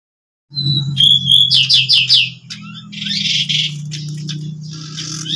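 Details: Three pied bushchats singing 'ngeplon' at home as if at a contest: loud bursts of sharp chirps and quick trilled notes, then buzzy, scratchy phrases, over a steady low hum and a thin, high, continuous whine.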